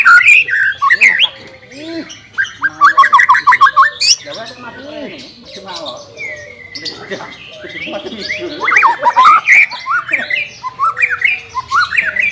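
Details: White-rumped shama singing to train a bird reluctant to sing: rich whistled phrases alternate with rapid bursts of repeated notes, pausing briefly, then resuming with loud rolling whistles.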